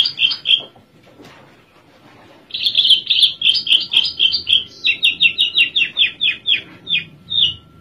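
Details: Oriental skylark in a cage in Java, sitting quietly and singing: a few opening chirps, a pause, then a long rapid series of clear, evenly spaced notes, about four per second, slowly dropping in pitch.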